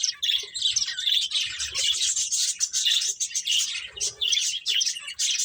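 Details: Finches chirping, playing: a dense, continuous chorus of high, thin twittering chirps from several birds, overlapping with no pause and rising and falling in loudness.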